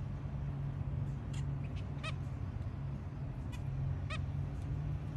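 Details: Zebra finch family with three babies calling in the early morning: a few short, nasal, buzzy beeps spaced irregularly over a steady low hum.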